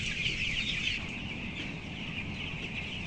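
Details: Broiler chicks aged 14 days, weighing 525 grams, among 11,000 birds on the upper floor of a closed poultry house; continuous shrill peeping from many chicks, strongest in the first second, over a steady low mechanical drone.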